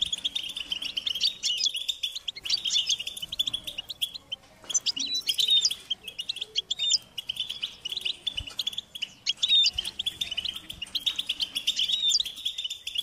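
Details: European goldfinch chicks calling their parents to be fed: dense, high-pitched, insistent chirping from several birds at once, rapid overlapping notes with brief louder bursts and short pauses, continuous throughout.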